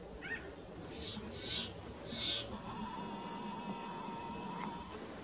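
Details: Pinyon jays visiting by the dozens give a few short, nasal, mewing calls, with rushing, rustling bursts and a faint steady background hum.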